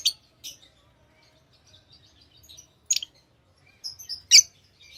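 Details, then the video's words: Tamed lovebirds, fairly quiet: scattered high thin chirps and soft twitters, a sharper burst near the start and two more toward the end, with faint background hum. "Love birds Sounds | lovebirds chirping sounds"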